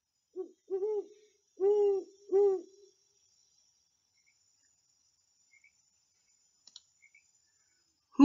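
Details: Great Horned Owl calling to another out in the forest, giving deep, soft hoots: a short note, then three longer ones within three seconds, then near silence and a brief knock at the end.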